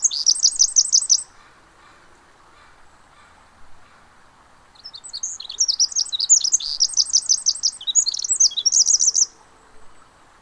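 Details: Two bouts of high, tumbling trills from a Pacific wren at the Mamquam Spawning Channels: a short burst at the start, a pause with faint background rush, then a longer run of rapid tinkling, chattering phrases.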